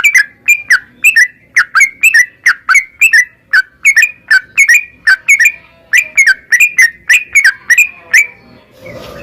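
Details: Narung ropel song of a yellow-vented bulbul, meant to make another bird sing quickly: a steady run of liquid whistled notes, each bending up then down, about two per second, ending in a brief noisy rustle.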